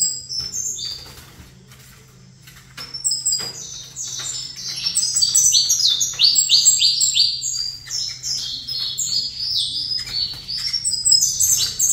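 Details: Twelve seconds of saffron finch song from a bird facing a rival: sparse notes at first, then a long, rising-intensity run of rapid downslurred chirps and trills from about the fourth second on. Faint low hum behind.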